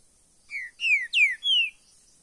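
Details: Green-winged saltator, possibly caged, sings a quick phrase of four loud, clear downslurred whistles, the third sharpest, all within about a second and a quarter.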